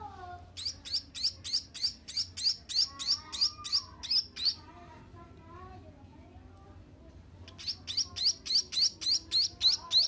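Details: Seven-day-old munia chick begging: rapid high, thin chirps repeated about three times a second in two bursts separated by a quiet gap, with faint low background hum.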